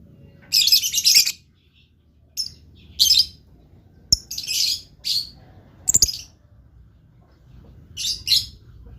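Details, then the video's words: Lively singing blue lovebird repeating harsh, high-pitched squeaky chirps in short bursts, some doubled, separated by brief silences, with a couple of sharp clicks. "LOVE BIRD GACOR"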